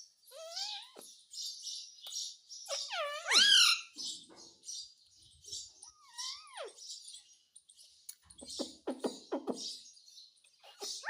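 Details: Indian ringneck parakeet talking in Hindi, repeating words like "mummy" and "mitthu"; descending harmonic speech-like phrases, a loud arching utterance, raspy chatter and a later run of quick clicking notes.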